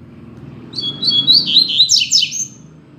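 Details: Caged rusty-collared seedeater used as a tutor bird for song learning, one of a pair: a quick high twittering phrase of slurred notes ending in sharp descending sweeps, over a low steady hum.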